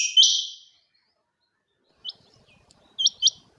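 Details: Female quail, locally called chinga batair, recorded in 2023: one loud, high, steady whistled note with a sharp start, then near silence and three short, faint high notes near the end.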